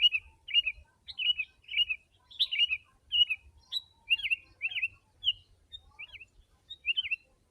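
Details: Sooty-headed bulbul, very vocal, used as a lure for wild birds: short bubbly whistled phrases with quick up-and-down turns, repeated about twice a second at uneven spacing, with a faint low rumble beneath.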